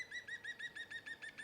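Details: European green woodpecker (Picus viridis) in trees beside muddy fields near Sutton Cheney on a bright sunny spring morning, Easter Tuesday, after rain, gives its loud laughing yaffle: about ten ringing notes in quick, even succession at a steady pitch.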